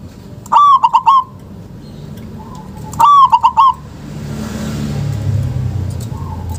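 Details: Zebra dove, local type, used to stimulate lazy doves to sing; two clear bursts of quick trilling coos a few seconds apart, a faint distant coo, then rising traffic-like rumble.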